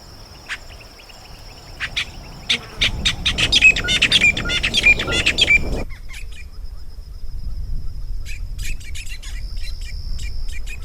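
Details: Red-billed buffalo weaver, known in Somali as balli joog or shaqla madow, in the bush (baadiye): loud bursts of sharp clicking and squeaky chattering notes, then a sparser run of clicks, over a steady high whine and low rumble.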